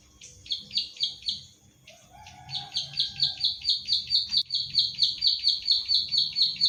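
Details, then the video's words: Pied bushchat kept by the recordist in Central Java, recorded on an Infinix Hot 9 Play for training other birds: a few high chips, a short pause with a faint whistle, then a steady string of sharp notes about twice per second. "Masteran Klik Klik / Ciblek Sawah Gacor"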